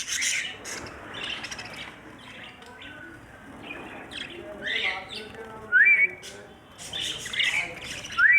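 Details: Budgerigar chattering in a steady run of rapid, scratchy chirps and warbles, broken by several louder, sharp rising whistled notes, with faint low background voices throughout.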